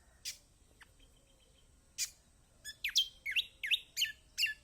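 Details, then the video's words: Lemon-bellied white-eye, called kecial kombok, used as lure audio to set quiet birds singing: a few spaced chirps, then a lively series of bright, bouncing whistled notes. "Masteran Kecial kombok/kecial kombo || Pancingan buat kecial kombok malas bunyi auto gacor!!"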